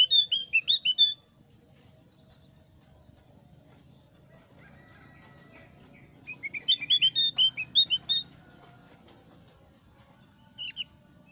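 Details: Singing thick-browed Javan grey-throated white-eye, used as a lure, in the ngeplong sambil ngeriwik style. Bursts of quick, high chirping notes about a second long, separated by several seconds of quiet, with a short final pair of notes.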